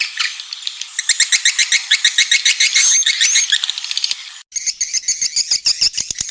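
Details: Swiftlet lure call of the Raja Kalimantan style from Borneo, used to attract swiftlets: dense high twittering chirps for about four seconds, a brief pause, then a series of sharp, rapid clicks mixed with chirps.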